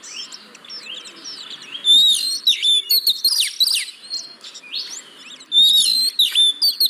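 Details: Oriental magpie-robin song meant to coax reluctant caged birds into singing: a soft start building into loud bursts of whistled notes, sweeping slurs and chattering elements in irregular phrases.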